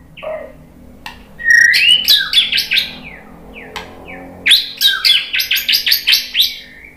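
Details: White-rumped shama answering a lure recording, provoked into full song: a fast run of bright whistles and rising notes, then a rapid series of sharp, evenly spaced chattering notes, over low background hum.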